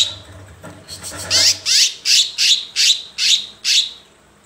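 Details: Sumatran bulbul, a series of seven loud harsh chattering bursts, each a short rough squeaky note, repeated evenly about every 0.35 seconds after a faint lead-in, against quiet background.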